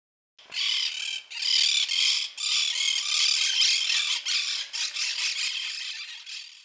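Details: Monk parakeet, an exotic species introduced to Chile as a pet and now common in urban areas and city parks, giving harsh, raspy squawks in a near-continuous chattering run, broken into bursts about every second, all high-pitched and grating.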